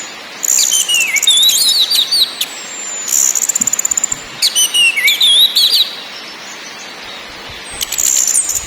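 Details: Orange-headed thrush singing in ngakrak, ngeplong and nyiul styles: clear slurred whistles dropping and rising, broken by bursts of very high, dry rattling trills, in short phrases with brief pauses.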